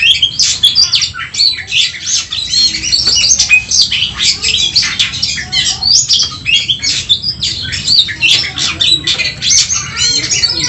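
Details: Oriental magpie-robin fighting song for boosting emotion, a dense, continuous high chatter of squeaky chirps, short whistled slides and buzzy notes, barely pausing over several seconds.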